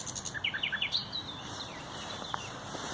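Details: Common nightingale song on 30 April 2021: a fast series of paired, clipped chirps stepping up in pitch, ending in a thin rising note, then quiet with faint distant low hum.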